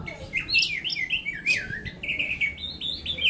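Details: Oriental magpie-robin, a caged songbird kept for therapy-style listening, singing a varied run of whistled, slurred phrases mostly high-pitched, with rising and falling notes and some scratchy bits, over faint low room hum.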